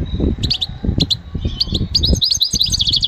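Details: Goldfinch song used for training: short clusters of high twittering notes that build into a continuous chatter, set against loud low rumbling and knocking noise.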